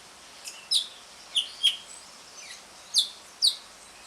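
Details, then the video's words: Asian pied starling 'ngriwik' chatter used to coax a silent starling into song: scattered sharp, high chirps, single or in pairs, separated by short gaps over a faint hiss. "JALAK SUREN NGRIWIK, PANCINGAN JALAK SUREN MACET BUNYI"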